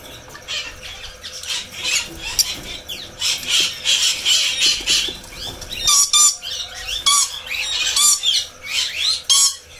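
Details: Red lory, a parrot species, screeching almost without pause, with long strings of harsh grating bursts broken by short sharp squawks.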